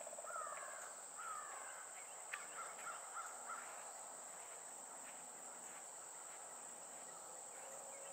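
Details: Two male pileated woodpeckers in a territorial conflict at Alachua, Florida, on 5 November 2018 give a loose series of short, hoarse, slightly rising notes in the first few seconds, then fade, over a steady high insect drone.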